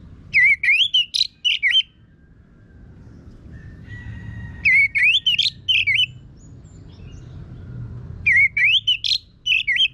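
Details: Orange-headed thrush song used to train kept birds to sing: three bursts of rapid, varied whistled and scratchy phrases roughly every four seconds, with quiet low background hum between them.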